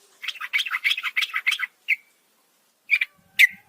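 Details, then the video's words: Female yellow-vented bulbul at night calling for the male, a fast scratchy chatter of about ten notes, one clear note after it, a gap, then two more abrupt chirps. "masteran burung trucukan malam hari"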